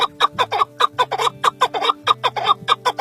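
A male chukar gives a rapid run of harsh, clucking chuck notes, about four a second, over a steady low droning hum.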